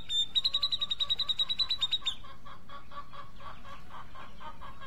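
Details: Grey-cheeked bulbul gives a fast, high, evenly pulsed trill of about twenty sharp notes over two seconds, then lower clucking pulses continue under steady background hiss.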